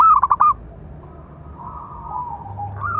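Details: Local zebra dove with a big voice, calling to train and provoke other doves; one quick burst of four clipped coos, then faint drawn-out cooing with a low hum.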